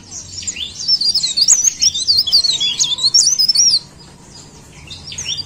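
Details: A leaf warbler, cikrak daun, pours out a loud, quick series of shrill zigzag whistles for nearly three seconds, then drops to near quiet with only faint high notes.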